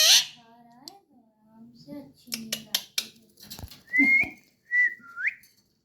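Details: Pet talking parrot indoors: a mix of soft murmurs and clicks, then clear whistled notes near the end, one sliding upward, with faint background music.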